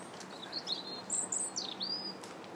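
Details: Robin singing on January 21st: a fluid phrase of high whistles, with thin notes that rise and fall and a brighter, piercing middle section, over low background noise.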